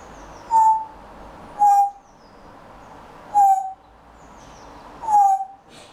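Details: Pet Grey Parrot chattering quietly while settling down for a daytime nap, waiting for summer: four short whistled notes, each sliding slightly downward, spaced irregularly about a second or more apart, each with a brief high click, over soft room hiss.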